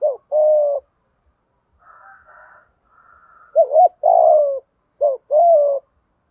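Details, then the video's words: Spotted dove 'thúc gù' coos, the decoy calling used to train newly caught birds that refuse to coo: repeated low two-part phrases, a wobbling short note followed by a sustained sliding coo, with a faint higher murmur between. "Tiếng THÚC GÙ chim cu gáy mồi bài bản dùng tập chim bổi hay lâu năm không chịu gáy"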